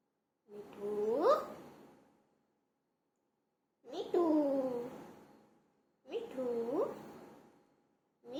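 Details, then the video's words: A pet green rose-ringed (ringneck) parakeet talks in short, speech-like phrases of about a second and a half, with wavering, rising and falling tones and pauses between. "Meethu humse baat karte hue 🦜🦜#green ringneck parrot"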